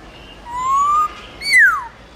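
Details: A white-browed laughingthrush in wild-style forest song, played to train and stimulate captive birds, gives two clear whistles: a long, slightly rising note, then a quick, sharply falling slur.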